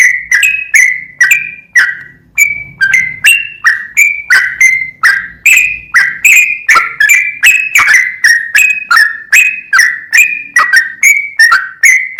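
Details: Sooty-headed bulbul singing a long continuous sequence of clear whistled phrases, each note beginning abruptly and dropping or rising briefly, repeated roughly twice a second with little pause; faint low murmur underneath.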